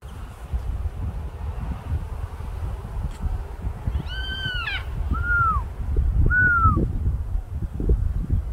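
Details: A yellow-tailed black cockatoo from a family group on the mid north coast of NSW gives three drawn-out, wailing calls, each arching up then sliding down, about a second apart, over a steady low rumble of wind.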